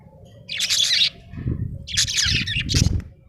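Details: Cheerful budgerigar chatter: a long scratchy high warble, then two more bursts of rasping chirps, with low thumping noises between.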